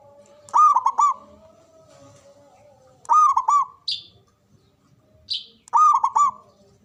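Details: Local Javanese zebra dove with a big, loud, long-breathed voice, used to spur other doves to answer: three phrases about every two and a half seconds. Each is a loud, rounded, cooing burst of quick linked notes. Brief high chirps from another bird come between phrases.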